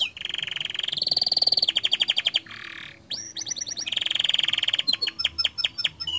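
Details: Gacor canary song used to trigger other caged canaries to sing: long rattling trills, a loud rising whistle, a soft buzzy pause, then sharp clipped notes and another rolling trill before staccato chips.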